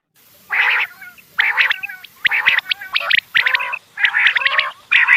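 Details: Quail in the morning: bursts of harsh, nasal, grating notes about a second long, separated by short pauses, with brief tonal chirps between some bursts.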